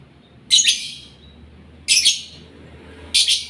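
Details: Lovebird in breeding condition giving three short, harsh, buzzy chirps spaced more than a second apart, each a dense noisy burst with a quiet low hum behind.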